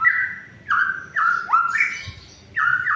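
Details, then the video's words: Singing white-rumped shama, a lure for mute birds that will not sing: rich fluted whistles, level and downslurred phrases with one sharp upward slide, delivered in short bursts about half a second apart. "suara untuk memancing murai yg macet bunyi"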